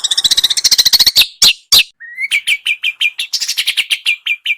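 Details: Small bird song meant as a training tutor for a white-rumped shama: a dense harsh rattle and two sharp chips, a brief low whistle, then a steady run of about twelve quick rising chirps.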